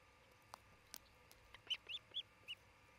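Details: Osprey at a nest cam in Charlo, Montana, on 27 June 2018 around midday, one of a pair building a new nest: four short, high whistled chirps in quick succession after a few faint clicks, with steady background hiss.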